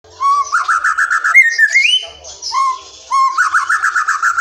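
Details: Wild white-rumped shama, described as a forest shama, song used as a lure to make silent or young shamas sing: rich whistled phrases, a low note rising into a rapid repeated trill, then a sliding whistle, phrases repeated.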